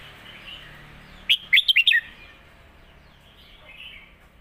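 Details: Red-whiskered bulbul, a caged Thai competition bird, singing master song mixed with lak wai for teaching young birds: one short burst of five clear, quick warbled whistles, then faint distant twittering.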